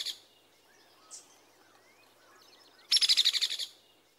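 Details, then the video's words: Hairy woodpecker giving a lower, relatively even-pitched rattle: a brief burst of about eight rapid sharp notes lasting under a second, preceded by two faint isolated notes over quiet background. "the hairy woodpecker has a lower relatively even pitched rattle"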